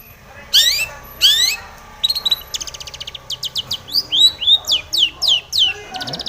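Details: Long-tailed shrike in full, vigorous song described as seeking a rival: two loud rising-then-falling whistled sweeps, then a run of rapid buzzy ticking notes and a string of varied high whistled phrases.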